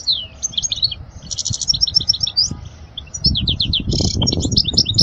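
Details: Teaching song for young goldfinches by a European goldfinch: sweeping, slurred notes and quick tinkling twitters with a buzzy trill, against low rumbling and handling-like noise that grows toward the end.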